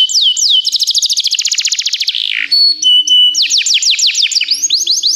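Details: Canary singing for training purposes: a quick trill of repeated notes, a pause with a few steady whistled tones over a low hum, then loud down-slurred notes repeated rapidly.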